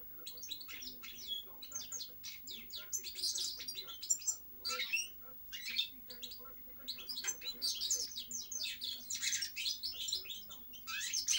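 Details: Sustained European goldfinch song of fast, jangling high chirps and buzzy trills, delivered in dense bursts with brief pauses, a faint constant low hum in the background.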